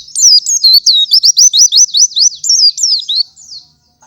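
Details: White-eye in gacor morning song, played as a master for other white-eyes: about three seconds of rapid, high, wavering whistles in a steady rippling chain, then silence.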